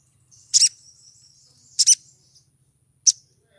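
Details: A female little spiderhunter in breeding condition calls to attract a male: three piercing high chips, the first two doubled, with a thin high whine trailing behind them.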